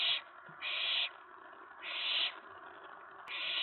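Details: Nest-box owlet on 19 May 2017 near 11 PM, stirred up by another owl arriving at the tray following a mouse delivery; three long, drawn-out harsh hisses running almost back to back.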